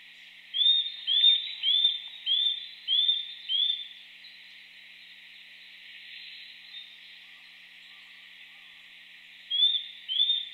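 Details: Eurasian nuthatch in Japan singing: a loud run of six clear rising whistles, each arching over, about two per second, then a pause of several seconds before two more whistles start the next series.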